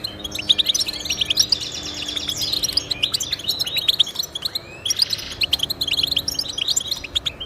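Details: Song of the European goldfinch, played to stimulate pet goldfinches: bursts of rapid jingling trills and crisp chirps, separated by short pauses, with a faint low steady tone in the background.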